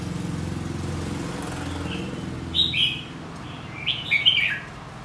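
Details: Competitive song of a red-whiskered bulbul being trained, white-cheeked form: low engine-like rumble fades, then two loud, rich warbled phrases follow about a second apart.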